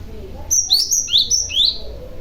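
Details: Young male Cinereous Tit, kept as a lure bird, calling to draw other tits into answering: a quick run of four sharp, high chirps, alternately falling and rising in pitch, packed into just over a second.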